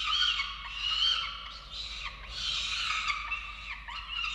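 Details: At a falcon nest in Orange, Australia, on 13 November 2022, feeding time brings an unbroken stream of shrill, buzzy, wavering cries that swell and dip in loudness.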